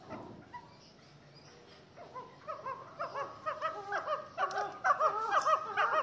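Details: Chukars kept for fighting, starting quietly, then building into a fast run of chuckling notes that grow louder and denser over the last three seconds.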